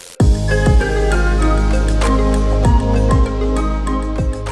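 Electronic new-age music with deep bass notes and chiming tones plays throughout, with no animal sound.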